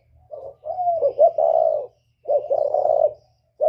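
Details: Whistle-voiced spotted dove of the northern style, used to rouse wild birds: a soft opening coo, then a long drawn, rolling cooing phrase, a pause, and the phrase again, over a quiet low hum.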